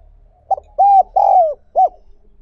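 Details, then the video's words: Spotted dove cooing, recorded for training newly trapped doves. One phrase: a short hoot, a sustained level coo, a longer falling coo, and a final brief hoot. "Tập Chim Cu Gáy Bổi"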